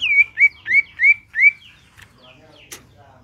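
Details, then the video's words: Greater green leafbird in the ngentrok style, a reference song for training other birds: five clear whistled notes, each falling then levelling, spaced about a third of a second apart, then soft scattered chips. "CUCAK IJO GACOR NGENTROK"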